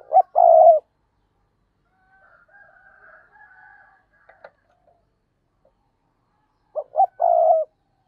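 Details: Spotted dove kept as a decoy to draw in wild doves, giving a short coo phrase. A quiet gap with faint distant cooing follows, then the phrase returns: two quick notes and a sustained low hollow coo.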